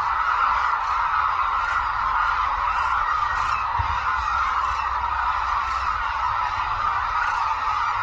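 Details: Large gathering of hooded cranes wheeling in the air at Suncheon Bay Wetland, Korea; overlapping loud honks blend into a steady roar, with a brief low thump midway.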